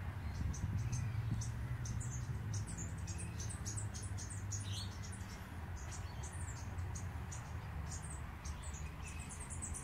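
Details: Superb fairywren in Australia singing in the morning: rapid, very high-pitched chips and tinkling trill fragments, many notes per second in bursts, over a strong, constant low rumble.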